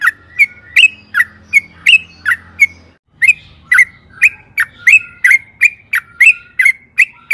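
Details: Yellow-vented bulbul, 'gacor' lure song: a long sequence of loud bubbly notes that dip and rise, repeated roughly three times a second with a brief break midway, faint low hum in places.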